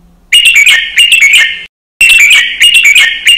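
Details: Caged red-whiskered bulbul singing a note-counting training song with quick doubled notes: two loud bursts of sharp, chirpy whistles separated by a clean silent gap.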